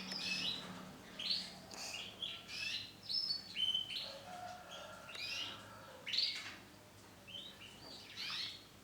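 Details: Male orange-and-black canary singing in separate bursts of high chirps, sweeping whistles and quick trills, roughly one burst every second, with a low hum in the background.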